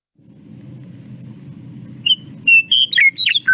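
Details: Western Meadowlark song in the breeding season: a short burst of flute-like, hollow whistles, like a big wooden flute, tumbling into gurgling notes after a low background hum.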